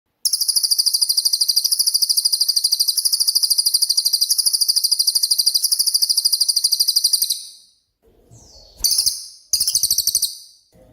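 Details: Cililin, a songbird of the rapid 'tembakan' style, used as a master sound for training songbirds: a long, fast, steady run of very high buzzy pulses lasting about seven seconds, then brief shorter bursts after a pause.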